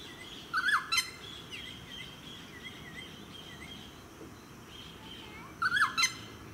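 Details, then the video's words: Noisy friarbird in a eucalyptus tree in a suburban park on the Sunshine Coast, Queensland, July 2017: two short, harsh, cackling bursts about five seconds apart, with faint thin whistles of other birds in between. "Noisy Friarbird"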